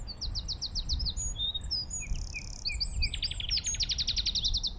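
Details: Eurasian wren (Troglodytes troglodytes) at Thurrock Thameside Nature Park sings, apparently in response to a nightingale: a loud, high, rapid song of sharp notes running into a fast rattling trill, over a low background rumble.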